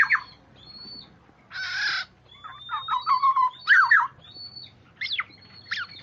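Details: Oriole in a lure recording mixes a brief whistle, a rough buzzy squawk, and a scatter of sharp chirps and liquid warbled notes, with thin high tones drawn out between them.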